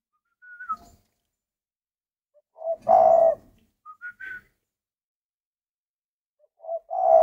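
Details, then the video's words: Caged spotted dove song: a short high whistle, then a deep, buzzy coo around three seconds, followed by brief higher notes and another coo starting at the end. "chim cu gáy hay"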